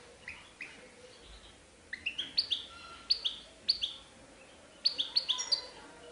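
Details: European goldfinch singing in the Serfati Tiwawati style: short, high, bright twittering notes in loose clusters, with a quieter start and denser bursts near the second and fifth seconds over a faint background hiss.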